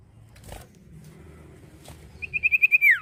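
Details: Common iora: a short, quick trill of about six whistled notes ending in a steep downward slur, preceded by clicks and a murmuring low background.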